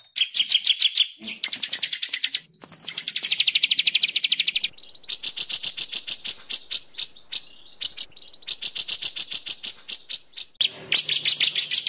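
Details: Master song of a white-rumped shama for training birds, packed with 'tembakan' rapid-fire phrases: a series of machine-gun bursts of high notes at shifting pitches, separated by short breaks.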